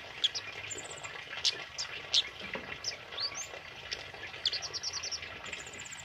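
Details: Energetic song of a tame male kemade, recorded for training other birds: sharp high whistles and short trilled runs of quick repeated notes, irregularly spaced, against a soft background hiss.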